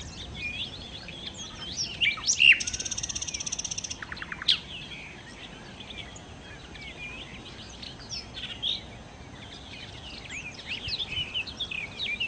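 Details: Nightingale, known locally as sikatan londo, singing in energetic gacor style: scattered high chirps and slurred whistles, a loud burst with a rapid buzzy rattle lasting over a second, then continuing varied twittering notes over soft background hiss.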